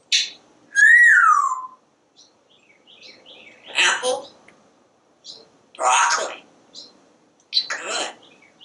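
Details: Talkative pet parrot on a screened back porch watching squirrels and birds. It opens with a loud whistle that rises and then falls, followed by three separate raspy spoken words.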